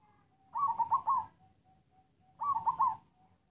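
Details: Wild local zebra dove giving halting, coughing coos: two short bursts of soft, stuttering notes, each broken into three or four quick notes, about two seconds apart against faint background hum.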